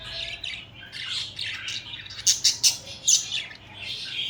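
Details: Pet budgies interacting, cuddling and fighting, produce a rasping warble that breaks into four or five sharp, loud squawks between two and three and a half seconds, then settles back to soft chatter.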